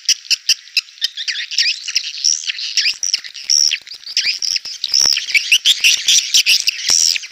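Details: Swiftlet call used to attract swiftlets to a bird house, claimed able to compete in a crowded one: continuous high twittering with looping, upswept whistled chirps and brief clicks.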